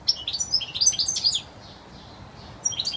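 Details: European goldfinch giving clear wild-style song: rapid high twittering chirps and liquid trills for about 1.4 seconds, a short pause, then the twittering resumes near the end; quiet background.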